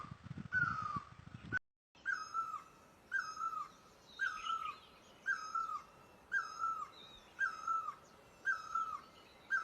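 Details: Great barbet in Asia gives rhythmic, descending mellow calls about once a second, with light chatter from smaller birds higher up.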